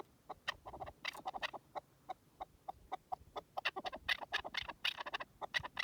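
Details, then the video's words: Wild partridge giving rapid, irregular chucking notes, clustered in quick bursts with brief pauses, several notes ringing brighter and higher than the rest, over quiet rustling background. "Pure Partridge Calls in the Wild"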